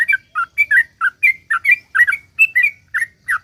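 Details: Sooty-headed bulbul in full song, a long rapid 'ropel' series used as a lure to get other bulbuls singing: short bright whistled two-note phrases, slurred up and down, repeated about once a second with brief gaps.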